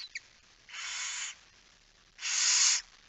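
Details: Night feeding at a barn owl nest, 10 September 2019, 22:45: two breathy, wheezing hisses about a second apart, the second louder, with a faint tick just before them.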